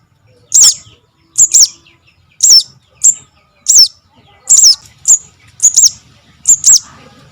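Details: Chick of the sogok ontong cuckoo, its call used as a trapping lure: high, thin chirps that slur downward, given singly or in quick pairs roughly every second, in a quiet background.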